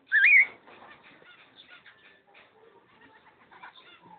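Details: A pair of cockatiels recorded on 05.06.11: one loud, rising, wavering whistled call at the start, followed by soft, scattered chattering notes for the rest of the recording.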